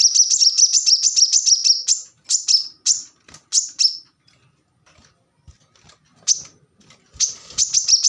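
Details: Plain-throated sunbird (kolibri manggar) pouring out a dense high twittering trill, then scattered single sharp chirps with gaps, and the rapid trill resuming near the end.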